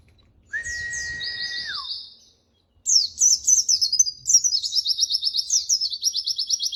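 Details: White-eye (pleci) training song, called spirited: opens with a steady lower whistle sliding down at its end beside high warbles, a short silence, then dense rapid high twittering trills repeated in quick even pulses.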